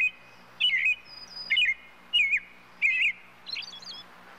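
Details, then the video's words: European robin singing. Short, high, warbling phrases, each wavering and twisting in pitch, come about once a second with brief pauses between them. The fifth phrase is higher and more broken into thin twitters. A faint low hum sits beneath. "Птица малиновка. Пение"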